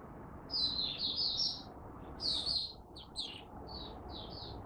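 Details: Malaysian oriental white-eye in a cage, in minor moult and off form, giving a few short high twittering phrases and scattered single chirps over steady low background hiss.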